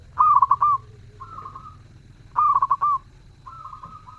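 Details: Zebra dove singing actively and melodiously: two loud cooing phrases, each a quick stutter of four or five soft notes ending in a longer held coo, with fainter drawn-out coos from another dove between them.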